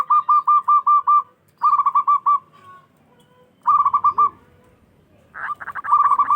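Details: Zebra dove of local stock singing loudly to draw responses from rival doves: three or four bursts of rapid, evenly spaced short coos, each lasting about a second, with quiet gaps between.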